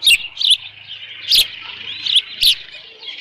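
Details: Osprey at a ranch nest, 13 June 2018 late morning, leftover fish present; a few spaced, high whistled chirps with sharp clicking onsets, separated by quieter thin chatter, over a low steady hum.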